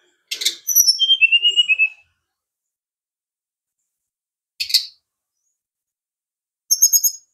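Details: Brown-chested jungle flycatcher gives a dry click, then a rapid pulsed trill of sweet notes that steps downward in pitch, followed later by another click and a short high trill.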